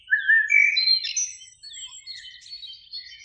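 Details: Eurasian blackbird in a spring beech tree by a lake in evening sun, two singing; a loud rising fluted phrase opens, then quieter scattered high twitters and thin whistles.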